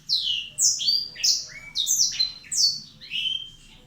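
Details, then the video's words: Black-throated Canary song used as a lure recording: a fast, high, sweet warble of slurred notes sweeping up and down, phrases following each other without pause over a faint low hum. "suara burung Blackthroat"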